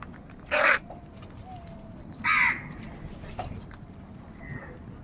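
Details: Crow uttering two loud, hoarse caws about two seconds apart, each a short grating burst, followed by a faint thin whistle from another bird.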